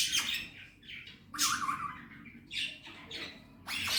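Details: Male Indian ringneck parrot, a pet, mimicking speech: a few hoarse, breathy voice-like syllables with broad noisy bands and a lower sustained tone, separated by short pauses.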